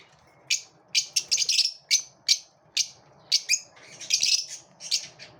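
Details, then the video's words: Lovebirds in a competitive moment, making short, piercing high chirps spaced roughly every half second, then a denser cluster of squeaky notes near the end. "Love birds also have competitive moments"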